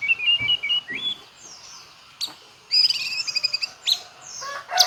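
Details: White-rumped shama delivering its full repertoire of mimicked phrases: a quick warbled trill, a pause, then sharp high chips and buzzy rapid notes in bursts.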